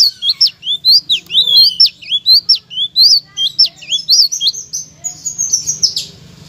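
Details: Master song of a blue-crowned laughingthrush meant to trigger quiet cage songbirds to sing loudly; a rapid string of piercing, downward-flicking high chirps, each sharply separated, ending in a thin sustained high whistle, with a faint low hum beneath.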